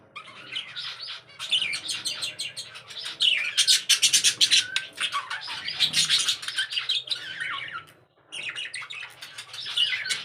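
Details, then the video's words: Caged budgerigars in a breeding setup shared with cockatiels, lovebirds and finches: dense, continuous high warbling chatter with rapid scratchy chirps and squeaks, briefly dropping out near the end before resuming. "buddgies birds setup"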